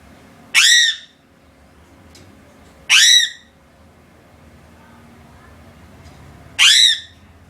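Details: Three loud, hoarse caws from a crow, each short and harsh and sliding slightly downward, spaced irregularly at about two to four second gaps. Between calls the surroundings are quiet apart from a faint low hum.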